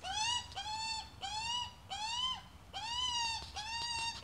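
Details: Australian magpie, adult with chick: six drawn-out, nasal, buzzy calls of about half a second each, evenly spaced with brief pauses.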